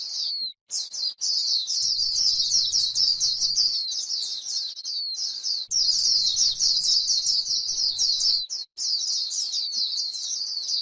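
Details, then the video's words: Long stretches of rapid, high chattering and warbling from a grassland white-eye in líu style, broken only by a couple of very short pauses over about ten seconds. "KÍCH KHUYÊN LÍU CHUẨN chim khuyên trên đồng cỏ white eye bird"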